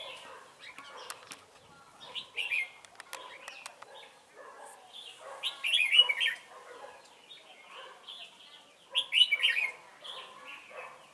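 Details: Red-whiskered bulbul acting as a decoy in a trapping session on 28 November 2017: lively warbling phrases in bursts every few seconds, with wing flutters and clicking noises.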